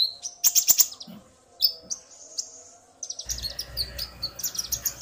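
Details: Male and female common iora calling to each other, the male provoked by her calls; quick trilled chirps and thin whistles, the second half with denser chirping over low rumbling background noise.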